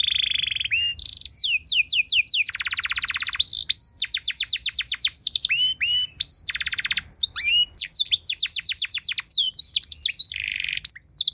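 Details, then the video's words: Long canary song for training other canaries: whistled slides, a buzzy roll, long trills of rapid falling notes and varied chattering phrases, continuous and loud. "Materan Burung Kenari Lagu Istimewa! Cengkok Mewah Bikin Kenari lain Ikut Terpancing jadi Gacor"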